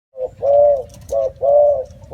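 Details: Spotted dove cooing: short notes followed by longer, steady low hoots, each falling slightly at the end, repeated with brief gaps and a faint low rumble beneath.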